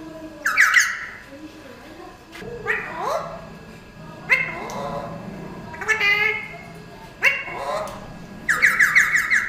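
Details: Pet Alexandrine parrot talking: speech-like syllables mixed with loud, harsh, ringing squawks in bursts of about half a second, repeated roughly every one to two seconds, ending in a rapid rattling squawk series, indoors.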